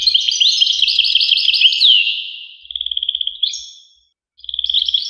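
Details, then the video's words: Goldfinch song: quick tinkling chirps and a sweeping slurred note, then a short series of rapidly repeated clicky notes, a pause, and a final burst of repeated notes. "voice carduelis- Tweets the birds. Tones a bird Goldfinch. voice goldfinch-"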